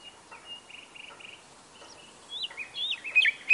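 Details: Soft level whistled notes and brief trills from a nightingale, building into louder twisting, warbled phrases at the end.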